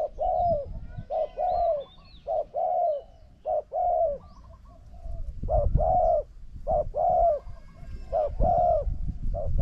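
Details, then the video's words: Spotted dove decoy pitted against a wild bird that coos very well. Long run of mellow coos, each a brief note then a longer falling coo, evenly repeated. Faint low rumble and distant bird chirps. "ต่อนกเขาใหญ่ นกเขาใหญ่"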